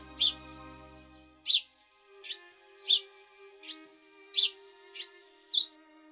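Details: Eurasian tree sparrow in winter in central Russia giving short, bright chirps at uneven intervals over soft background music.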